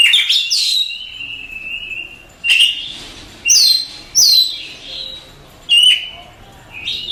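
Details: Champion contest Oriental magpie-robin repeating loud downslurred whistles at intervals of about a second, each opening with a sharp high click, between softer sustained whistled notes.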